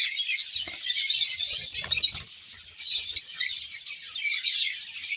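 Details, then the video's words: A group of colour lovebird chicks chirps in shrill, overlapping bursts that swell and fade, with a faint low rustle around the middle. "colour love birds chicks"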